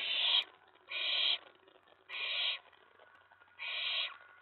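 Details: Owlet in a nest box at night, 19 May 2017, excited when an owl comes to the tray after a mouse delivery; four loud, rasping hisses, each roughly half a second, about one per second.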